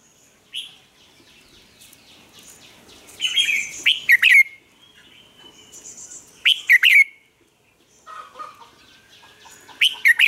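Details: Caged Red-whiskered bulbul used as a lure bird in Vietnam, singing to train and stir other bulbuls into song: short bright warbled phrases near the upper-middle range, each ending in sharp rising and falling notes, repeated at irregular gaps.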